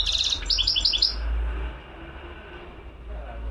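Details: Wild European goldfinch singing: a quick burst of bright, tinkling twittered notes in the first second, then only steady low background rumble.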